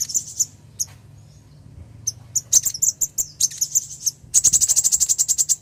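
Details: Female ruby-cheeked sunbird calling the male, a call used to lure males: scattered high chips building into a fast, even series of about fifteen rapid ticking notes at the end, over a faint hum.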